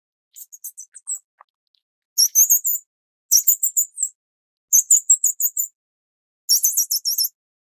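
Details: Nestling Grey-cheeked fulvettas, Taiwan endemic subspecies, being fed by adults: loud, shrill, high chirps in dense bursts of about half a second, repeated roughly every second or so, with brief pauses.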